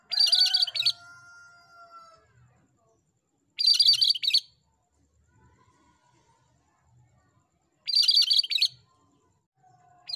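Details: Cream-striped bulbul (cucak kerinci) in lively song for tutoring: short, dense, buzzy chattering bursts, each about a second long, repeated every three to four seconds, with faint, thin, lower whistles between them.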